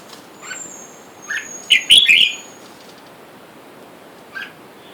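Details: Red-whiskered bulbuls, a wild-caught caged male and female, while wild birds call for a mate outside. A faint chirp is followed by one loud, quick, bubbly phrase near the middle, then a soft note, with a thin high whine behind.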